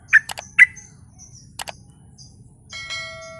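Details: Sooty-headed bulbul giving gacor lure song to provoke answers from other birds: two loud clipped chirps with clicks between, then scattered faint notes and a steady ringing tone near the end.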